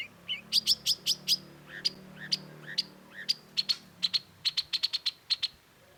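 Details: Long-tailed shrike singing actively in a masteran (tutor) recording: rapid bursts of high clicking notes mixed with a few lower slurred chirps, speeding into quick trills toward the end, over a low background hum.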